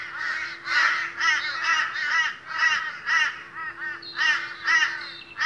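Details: Several Australian crows gather in the morning and give overlapping, raspy caws in uneven bursts about twice a second, with a steady low hum in the background.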